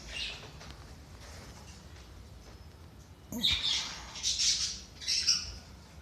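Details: Budgies, played to rouse lazy, inactive birds: a short chirp at the start, then after a quiet stretch a run of three raspy, buzzy chattering bursts with scratchy high notes.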